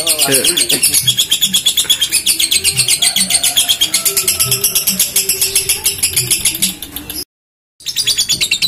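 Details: Lovebird singing at a songbird contest in Kelangdepok, Comal, Pemalang, Central Java, Indonesia: a long, dense, high-pitched chattering trill of rapid pulses. Voices and low background sounds run underneath, and there is a brief cut near the end.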